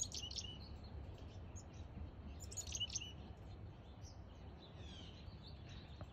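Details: Black-capped Chickadee at a front-yard bird feeder in NW Calgary, Alberta, at 12:50 pm on 10 September 2022, giving thin, high chips and short tweets in scattered bursts over a steady low background rumble.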